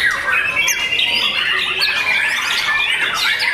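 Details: Young white-rumped shama, a caged competition-class bird, singing a dense, continuous stream of rapid chattering and whistled notes, thick overlapping phrases with sharp squawky elements throughout.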